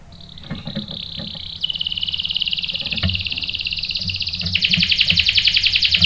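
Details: Lure song of a canary, aimed at making a male respond with rolls. Buzzy rolling trills shift pitch several times and grow louder and richer at the close.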